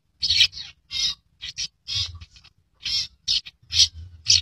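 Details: Albino long-tailed shrike with red eyes, a rare bird, producing rapid grating, rasping notes, nearly two per second, some short paired bursts, loud and close, with a faint low rumble behind.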